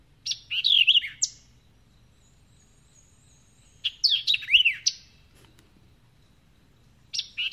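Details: A White-eyed Vireo on early migration through Mississippi sings quick, emphatic phrases of sharp, slurred high whistles, each about a second long, repeated every three seconds, ending with a few imitated summer tanager notes, over a quiet background.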